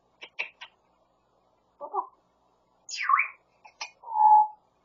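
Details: A grey parrot mimics the owner's husband's voice in Korean phrases: a few clicking syllables, a low mumbled word, then a falling squeaky phrase and a steady whistled tone.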